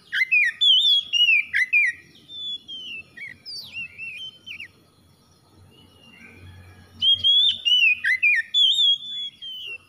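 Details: Oriental magpie-robin singing clear whistled phrases with sliding, warbled notes in quick bursts, a pause of about three seconds with faint low rumble, then another run of bright whistles.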